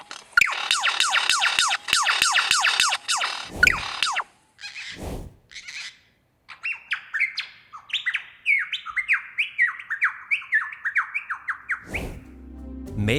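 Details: Superb lyrebird of Australia performing mimicry song: a fast burst of about ten descending buzzy notes, a few sharp isolated sounds after a brief pause, then a long run of stepped, whistled phrases rising and falling.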